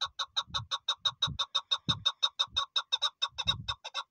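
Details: Chukar partridge giving a fast, even run of hard clucking notes, about three per second for four seconds, with a few low knocks in the background.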